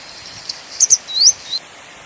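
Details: One Grey Wagtail phrase: paired piercing notes followed by an upward sweep and a brief closing note, on a faint, even noise background.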